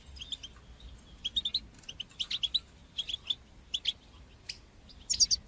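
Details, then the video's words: Goldfinch song, batbata and satsata styles, meant to encourage young goldfinches to sing: softer, separate chirps and short buzzy notes over a faint hiss, ending in a brighter tinkling burst. "تقنيات تحفيز طيور الحسون لتشجيع نجاحها في التغريد بتبتة وستستة"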